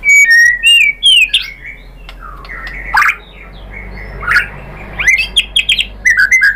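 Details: White-rumped shama lure song meant to make other shamas answer: loud clear whistles and chirps opening, then scattered bursts of notes over faint background hiss.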